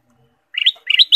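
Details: Ruby-throated bulbul, kutilang emas, used as a lure recording to stimulate caged birds; two bright bursts of quick warbled notes, each rising from low to high, clear and close with no background.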